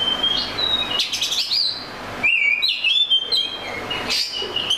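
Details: Oriental magpie-robin song: clear drawn-out whistles with slides and a few buzzy flourishes, over noticeable background noise.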